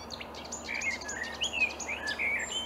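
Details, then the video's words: Marsh warbler (Acrocephalus palustris) singing in reeds on an early May morning in 2020 at Upplands Väsby, Sweden; rapid, chattering, varied phrases mixing sharp high notes and buzzy trills, delivered without pause. "Marsh warbler (Kärrsångare) i Upplands Väsby maj 2020"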